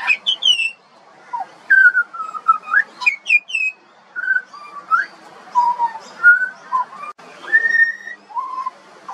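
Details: Song of a juvenile pied butcherbird from Australia: a varied string of pure, flute-like whistles that slide up and down, some high sharp upslurs mixed with lower mellow phrases, delivered almost continuously.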